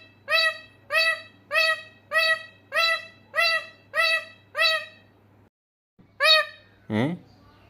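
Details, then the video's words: Pet parrot calling over and over: about ten short, hoarse, harmonic notes in a steady rhythm, roughly one every half second. A brief gap comes near the end, then a different rising swoop. "Mithu mujy bula rha"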